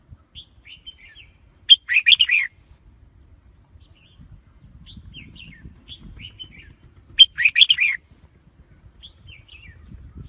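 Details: Red-whiskered bulbul lure song meant to draw wild birds into traps: two strong warbling bursts roughly five seconds apart, each opening with a sharp note and tumbling through bubbly chirps, with quiet whistled notes between.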